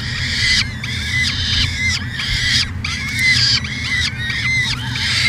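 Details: Peregrine falcon at a nest camera in Edmonton, Canada, in June 2017: harsh, ringing cries repeated roughly every second, each with a sharply arched, rising-then-falling shape, over a steady low electrical hum.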